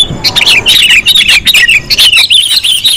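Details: Sooty-headed bulbul calls used as a lure, called very sensitive: fast clusters of high, sliding chirps and warbles packed closely together, briefly thinning around the middle of the clip.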